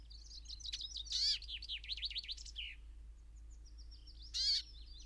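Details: Brambling at Ballinaglera, Ireland. High, wavering twittering notes run in a rapid series, broken by two loud, sharp ringing calls.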